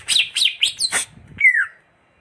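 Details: Greater green leafbird giving a quick run of high, scratchy chirps, followed by one clear whistled note that slides downward and fades.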